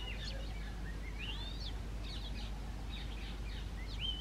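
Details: A male Oriental magpie-robin gives a varied song of clear rising whistles mixed with short chattering notes, over a steady low rumble of background noise.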